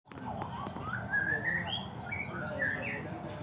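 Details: Caged white-rumped shama singing: a string of clear whistled notes climbing from low to high, then short rising and falling whistled phrases, over a steady low hum.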